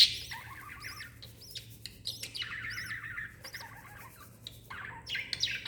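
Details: Mother lovebird beside her chick on 26 December 2021, giving shrill arched chirps in quick runs with chattering lower squeaks between, separated by brief pauses.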